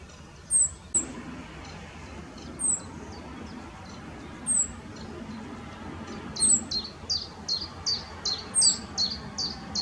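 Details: A male rock bunting holding a grasshopper, recorded in the Moselle valley at Valwig, Germany, gives scattered high, sharp slurred notes. These build into a quick run of thin, short repeated calls in the last seconds, over steady outdoor noise.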